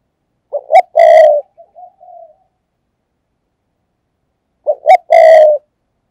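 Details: Decoy spotted dove cooing quickly to draw in other doves: two clipped notes and a drawn-out coo with a soft trailing murmur, repeated about four seconds later in the same pattern against silence.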